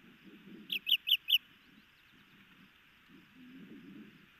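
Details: Osprey pair at a nest in Missoula, Montana, on 6 June 2018, both birds alert as the male twice goes after something; four sharp, high, piercing notes in rapid succession, then a soft low rumbling background.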